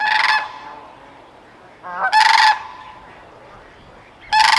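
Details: Sandhill crane (Antigone canadensis) gives loud, rolling, trumpeting calls, three bursts about two seconds apart, rich and rattling with a slight warble.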